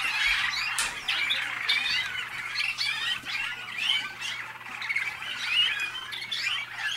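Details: Canaries of the Waterslager (malinois) breed, hatched in North Canton, Ohio, in the USA, deliver rapid twittering and rolling warbles in an unbroken, swelling and fading wash of overlapping phrases.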